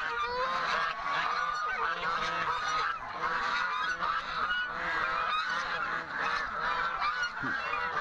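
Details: Chinese geese released in the morning on a farm, a storm forecast for the day; loud chorus of repeated honks, some clear rising notes, rhythmic bursts over constant flock noise.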